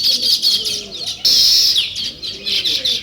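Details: Sparrows twitter loudly in bursts of rapid, high chirping, with soft low cooing from a dove underneath.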